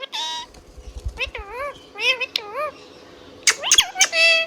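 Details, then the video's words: Chirping Indian ringneck parrot: wavy, rolling harmonic notes in a loose series, then a cluster of sharp clicks and bending calls, with faint low thumping in the background. "Indian Ringneck Parrot Singing Whistling and Chirping Sound"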